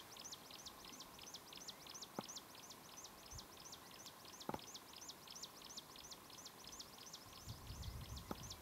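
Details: Chinese leaf warbler recorded in China in 2008, giving a fast, steady run of high, thin, upslurred notes, about four a second throughout, over a low steady hum and a few soft knocks.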